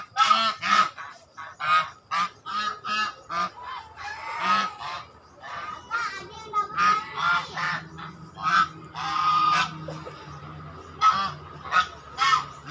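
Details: Swans honking in a rapid, busy series of harsh, nasal blasts, some deeper and some higher, closely spaced and overlapping as if several birds call together.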